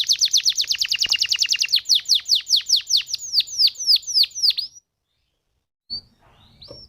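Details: Canary song played as a lure for other canaries: a rapid string of descending chips that gradually slows, then silence and one soft upslurred note.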